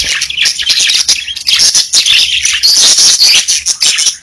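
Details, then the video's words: Captive budgerigars chattering in song: continuous high, buzzy, twittering warble with rapid chirps and short squawks, several birds overlapping, steady loudness throughout and a faint low hum beneath. "30 Minutes of Budgies Parakeets Singing, Chirping"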